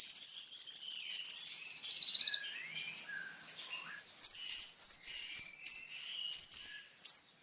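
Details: Actively singing kolibri ninja sunbird, recorded as material for training songbirds: a fast, high trill sliding gradually downward, a quiet pause, then sharp separate chips repeated about twice a second.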